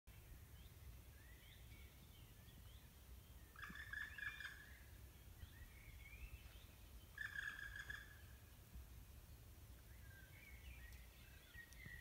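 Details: A black woodpecker, resting rather than in flight, gives two long, plaintive, slightly nasal notes about three seconds apart in Mid-Jutland, Denmark. Soft twittering from other birds and a low rumble sit behind them.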